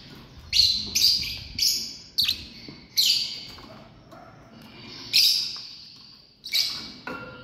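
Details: Lovebirds in a family group calling with a run of sharp, harsh, high chirps, about eight bursts spaced roughly half a second to a second apart, each short and screechy, over a quiet background.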